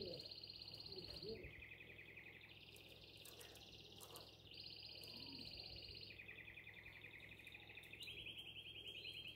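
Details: Canary singing to call the female, Shkodër, Albania: fairly faint rolling trills switching pitch every second or two, several tours in sequence over background hum.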